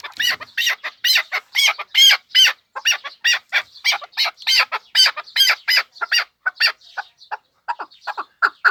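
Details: Chukar partridge from the Pamir giving a loud, rapid series of sharp, clucking chuk notes, about two or three a second, tapering to softer, spaced notes near the end.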